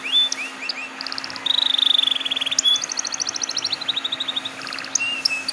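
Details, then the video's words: Canary singing to prompt other canaries to sing: high chirps open into a long rapid trill of evenly spaced notes that slowly falls, then breaks into quick high chirps and short whistles. "PANCINGAN KENARI BAHAN TERBARU"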